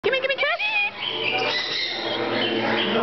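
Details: A 12-year-old male pet Rainbow Lorikeet talking: a burst of harsh, speech-like syllables with wavering pitch, then a rough, raspy chatter that runs on to the end.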